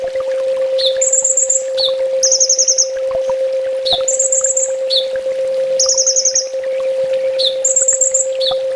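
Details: Master song of a sunbird for training, 'full tembak': a regular pattern of a sharp downslurred chip followed by a short high trill, repeated roughly every two seconds, with a steady background hum.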